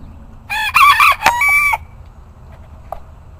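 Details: Bantam rooster crowing: a loud, harmonic cock-a-doodle-doo lasting about a second and a half, several strained syllables ending in a sustained high note, over low background rumble.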